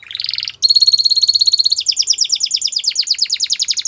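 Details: Canary delivering a short buzzy burst, then a sustained high rolling trill that breaks into quick repeated chirps, several per second.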